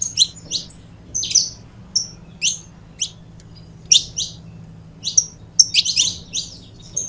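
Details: A pair of saffron finches, a recording meant for stimulating other birds to sing, giving scattered high, sharp chirps in short bursts with pauses between them, over a faint steady low hum.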